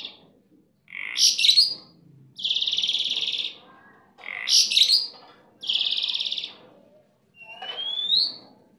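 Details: Energetic gacor song from a kept starling: squeaky bursting phrases alternate with long even buzzes, twice, before a clear rising whistled note at the end.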